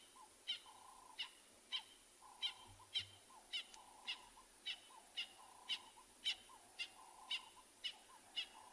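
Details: Francolins calling on a quiet 25 July 2020 sunrise drive at Tswalu Kalahari Reserve, South Africa, with lions nearby: sharp, high, scratchy notes about twice a second in a steady run, with a lower, hollow note breaking in now and then.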